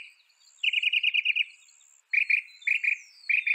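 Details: Song of a northern mockingbird, a North American bird: a quick run of about nine bright, clipped notes, then a new phrase of paired chirps repeated three times.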